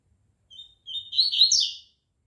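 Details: Captive Double-collared Seedeaters being conditioned for a singing tournament the next day: a brief, bright song phrase of high, clear notes that break into a fast, warbling rush, with a soft knock partway through.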